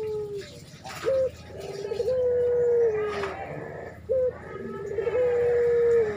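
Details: Breeding spotted dove calling a female, giving a repeated phrase of a short rising note followed by a long, smooth, gently falling coo, heard twice. Soft indoor background.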